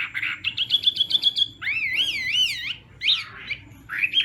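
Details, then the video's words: Hwamei singing in the morning to train its voice: a quick series of repeated sharp notes, then a loud wavering whistle rising and falling several times, and a few separate slurred phrases. "Hoạ Mi Hót Đấu /hoạ mi hót sáng luyện giọng"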